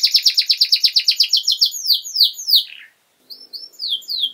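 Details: ['Young canaries are meant to learn from this long, lively master song: a rapid string of sharp downslurred notes speeding into sweeping falling whistles, a short silence, then a few rising whistled phrases.']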